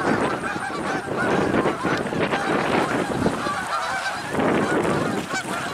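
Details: Geese in flight in late November 2022, moving between ocean, a grassy ballfield and a woodland pond; a flock gives loud, nasal honks in quick overlapping series against steady wind and surf.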